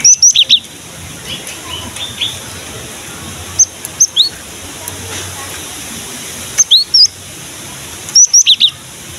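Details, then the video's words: Lure song of a gelatik batu, or cinereous tit, for prompting young males and females to sing: short clusters of piercing high whistled notes, each group of three to five notes separated by silent gaps. "KICAUAN BURUNG GELATIK BATU GACOR"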